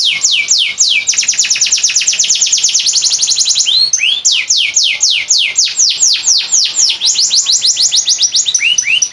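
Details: Canary song meant for tutoring other birds, Boyolali; sustained rapid series of loud descending whistles, a quick roll early on, and a few rising swoops mixed in.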